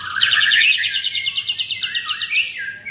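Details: Caged white-rumped shama in Kemayoran, Jakarta, belting out a fast string of bright pulsed notes that slowly descend, then a lower swooping phrase and more evenly repeated chips, singing in the 'pastol' style.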